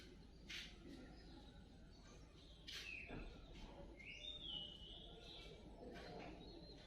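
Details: Wild birds feeding their chicks: sharp, high chirps scattered through, with a clear sweeping whistle rising then falling near the middle, over a steady low background rumble.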